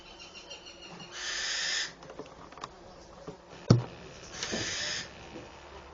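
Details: Eurasian wren chicks in a doorway nest, fed by their mother; two broad hissing bursts about three seconds apart, with scattered clicks and a sharp knock between them.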